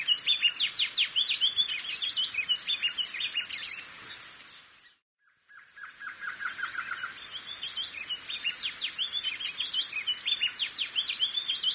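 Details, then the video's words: Chestnut-bellied seedeater (coleiro do norte) singing a fast, jumbled run of high chirps and slurred twitters over a steady high hiss; the song breaks off briefly midway. "Coleiro Do Norte!!!!"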